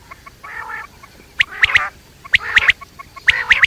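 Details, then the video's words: Night call of quail: a soft raspy phrase, then three grouped bursts of sharp clicks over harsh churring, roughly one second apart. "batair rat wali awaz"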